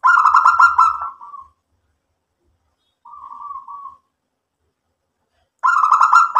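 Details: Local perkutut, or zebra dove, singing: a rolling, pulsed coo phrase that trails off, a lone soft buzzy hum in the middle, then the loud rapid coo phrase starting again near the end.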